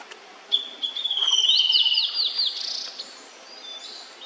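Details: Immature Blue-and-white Flycatcher singing: a high, sustained whistled note sliding slightly downward, then a quick run of rapid, higher chattering notes ending in a short twitter, delivered as a single phrase of about two and a half seconds against quiet background hiss.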